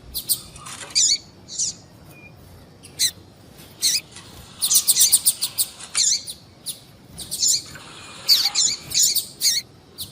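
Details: Calls of a female double-collared seedeater, played to stimulate males to sing: high, thin chirps given singly and in dense clusters, with irregular pauses between groups.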